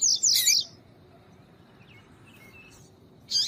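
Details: A female double-collared seedeater calls, used to stimulate males: two short bursts of high, twittering notes open and close the passage, with a few faint thin chirps between them over a quiet background.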